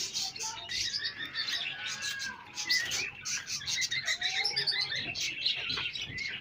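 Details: Pet chicks meeting pet hens, a steady wash of high, thin peeping from a group of chicks, some short descending chirps, soft hen sounds low in the background.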